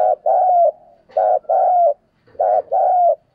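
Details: Decoy spotted dove kept to call in wild doves, Vietnam: three mellow cooing phrases, each a brief note followed by a longer, gently falling coo, spaced roughly a second apart in a quiet setting.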